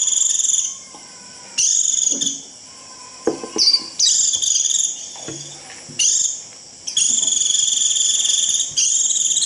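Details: White-eye calling the flock with its shrill 'rít' trill, used to lure wild birds: repeated high, sizzling, pulsed phrases with short gaps between them, plus a few faint low clicks and knocks.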